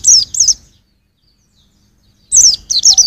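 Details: White-eye singing as a training model for songbirds: two quick high descending notes, then nearly two seconds of silence, then a rapid run of several sharp, falling, chirpy whistles.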